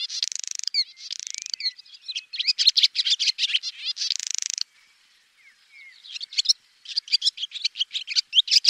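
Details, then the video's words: Swallow opening with repeated buzzy rattles and quick twittering notes, a brief near-silent gap with soft faint chirps, then a resumed burst of sharp high chattering; nothing else audible. "SWALLOW BIRD Sound Effect"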